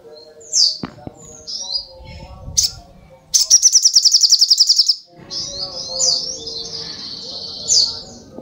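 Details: Brown-throated sunbird's high song of thin chirps and squeaks, broken by a quick rattling trill and followed by warbled, slurred high notes with a faint low hum underneath.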